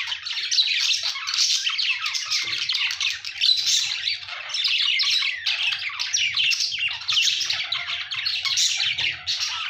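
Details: Budgies chirping in a busy, unbroken warbling chatter, raspy squawks mixed with high squeaks from overlapping birds, a faint low rumble underneath.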